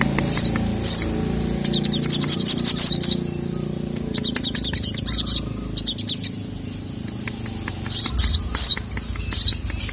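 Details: Little spiderhunter (sogon) calls. The female summons the male, who responds angrily. Quick trains of piercing high chirps come in groups separated by quieter gaps, with low background hum.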